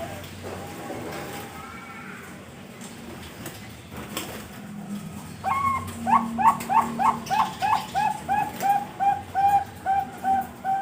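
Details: Bred Bangkok zebra dove in Pasuruan, East Java, Indonesia, a male or his two offspring hatched 31 March 2022; faint background hum at first, then a fast burst of notes settling into evenly spaced soft coos about three per second.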